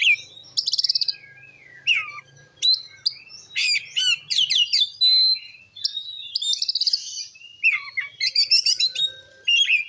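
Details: Oriental magpie-robin (kacer) in full gacor ngeplong song, used to provoke other magpie-robins: rich whistled phrases, rapid buzzy trills, rising and falling notes and sharp chattering bursts, loud and continuous with brief pauses.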